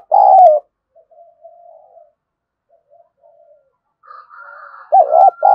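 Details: Spotted dove cooing, played to stimulate other doves. A loud, low cooing note opens the recording and a paired coo closes it, with softer, fainter warbling notes and a thin higher whistled tone between.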